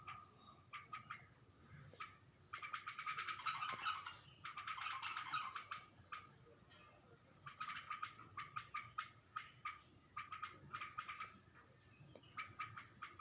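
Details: Bulbul reacting to its reflection in a mirror, giving rapid scratchy chatter in short clustered bursts with brief pauses. The loudest, densest stretch comes around the third to sixth second, then sharper clipped notes repeat irregularly.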